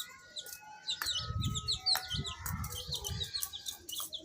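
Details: Baby chicks chirping: a dense flock of short, high, downward-slurred peeps overlapping continuously, with soft low thumps and bumps underneath.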